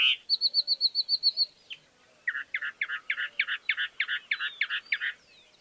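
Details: Chalk-browed mockingbird song starting with a quick string of pure high piping notes, a pause, then about a dozen harsh, rhythmic churring notes repeated several times per second.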